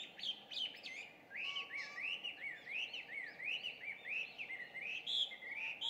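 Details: An introduced Chinese hwamei sings at dawn, around 5:30 on 2 June 2019, from a bit of a distance. The song is a steady stream of looping whistled notes, arched and slurred, repeated quickly, with a low steady hum beneath.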